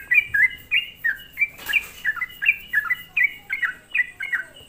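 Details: Sooty-headed bulbul lure song for stirring up other bulbuls; repeated short whistled notes with downward slurs, about three per second, and a brief rustling noise burst in the middle.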